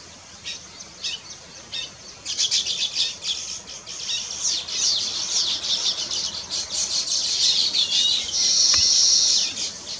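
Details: Weaver bird building a nest gives scattered ticks that build into dense, high chattering, ending in a long, harsh sizzling buzz.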